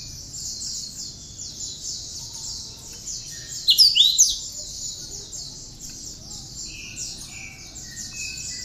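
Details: Singing tame cinereous tit with bar-winged prinia (ciblek) imitations, used for training other birds; a continuous rapid high chatter, one loud burst of sharp whistled sweeps midway, and a few short lower notes.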